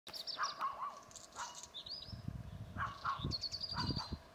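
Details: Black redstart (Phoenicurus ochruros) at Šmarnica, 23 March 2024, sings short high whistled phrases with a brief scratchy, buzzy note; lower chirps from another bird and low wind rumble behind.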